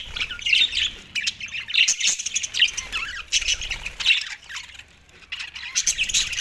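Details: Flock of Australian budgies feeding on soft food, December 4, 2023: scratchy squawks and bright chirps come in clustered bursts, with a quieter lull near the end before the chatter resumes.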